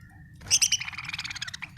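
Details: Budgerigar chirping: a few sharp high notes, then a rapid run of short bright chirps and warbling pulses lasting over a second, over a low steady hum.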